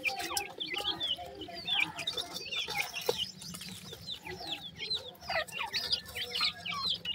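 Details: Chorus of grey francolin chicks: rapid, overlapping high peeps and curling chirps, some sliding downward, packed closely together throughout, with a faint low hum in the background.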